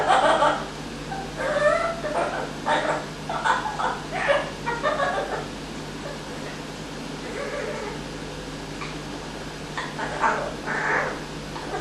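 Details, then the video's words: Pet Amazon parrot, a male kept indoors, doing an evil laugh it picked up during a week's stay; a string of short, harsh, voice-like bursts, several closely spaced, then pauses and a final cluster, over a steady low hum. "Parrot with Evil Laugh"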